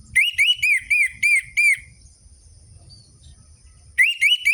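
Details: Orange-headed thrush song meant to coax quiet captive birds into calling: a series of six clear, rising-falling whistles at an even pace, a pause with faint hum, then the whistling resumes.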